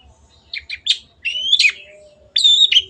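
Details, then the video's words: Song of a caged long-tailed shrike used for training: quick scratchy chips, then a long rising whistled note ending in a harsh burst, and a final loud whistled phrase, over low hum. "MASTERAN BURUNG CENDET GACOR"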